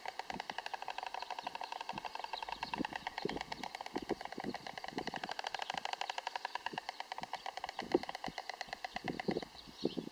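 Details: White stork on its nest with a chick, clattering its bill in a fast, steady run of dry wooden clicks lasting the whole ten seconds, with a faint hum behind.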